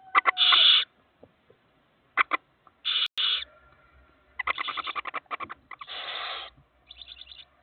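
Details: Four barn owl chicks give harsh, hissing screeches and rapid raspy clicking bursts, several short outbursts over a few seconds with brief pauses between.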